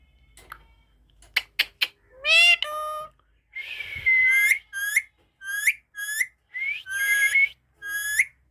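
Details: Talking parrot answering questions about its name with a run of voice-like syllables: a few clicks, then bright harmonic bursts and a series of short, sharply rising squeaky notes repeated about every half second, indoors with no other sounds.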